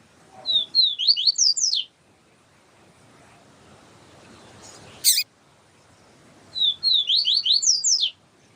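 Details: Siu siu style song of a yellow-bellied seedeater, with a female calling to warm him up: two quick bursts of steep whistled slurs about five seconds apart, separated by a single sharp chip, with faint background hiss.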